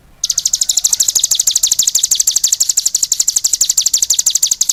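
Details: Brief silence, then a cigun launches into a vigorous song of rapid, ringing high chirps that continues steadily to the end.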